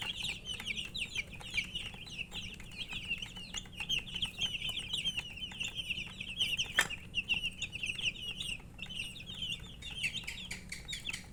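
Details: Coloured baby chickens calling with thirst for drinking water: a long, unbroken chorus of shrill overlapping peeps from many chicks, with frequent small clicks and one sharp knock partway through.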